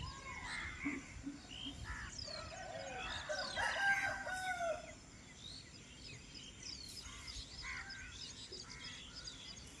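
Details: Birds in a village in the early morning. A rooster crows once near the middle, a drawn-out rising and falling call, amid scattered short chirps and whistles from other birds over a soft, steady background hiss.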